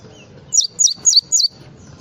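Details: Java sparrow singing a short full 'isian' phrase of four bright, high, falling chirps spaced about a third of a second apart, with low murmuring in the background.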